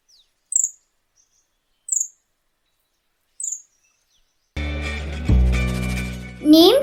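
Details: A pale-billed flowerpecker, Sri Lanka's smallest bird, gives three thin, very high, sharp chips about a second and a half apart, its rapid chipping call, then background music and a voice take over.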